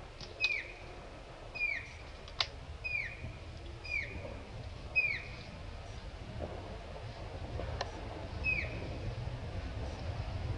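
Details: Grey-headed canary-flycatcher (Culicicapa ceylonensis) in Jayanti National Park, Alipurduar, West Bengal, India, January 2018, giving thin, high notes that swoop downward, repeated roughly once a second, then pausing; a steady low rumble sits underneath.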